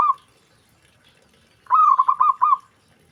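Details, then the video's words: Zebra dove (perkutut), other zebra doves reportedly responding straight away on hearing it; one short cooing phrase, an opening rising coo then a quick run of about four throaty beats, following a brief clipped note at the start. "Perkutut Lain Langsung Respon Dengar Perkutut Ini Bunyi"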